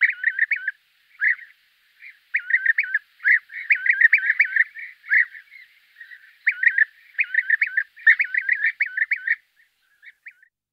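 European bee-eaters giving liquid, rolling 'prruip' calls in quick bursts, several overlapping as if from more than one bird, with brief pauses between bursts.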